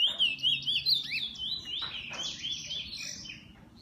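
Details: Pet bullfinch singing a quick string of high, warbled notes that slide into buzzy, fading tones.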